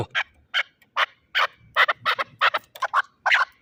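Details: Spaced, loud chuk notes from a fighting chukar partridge, Shahritus, Tajikistan, coming roughly every half second and then doubling up into quicker pairs.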